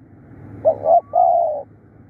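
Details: Spotted dove decoy giving one bold phrase: a short coo, a slightly longer coo, then a sustained flat coo lasting about half a second, over quiet low hum.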